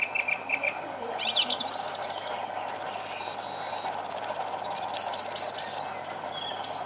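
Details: Thrush at the bottom of a garden sings short, varied phrases of bright, rapidly repeated notes, some buzzy and high, over a steady low rumble of distant traffic.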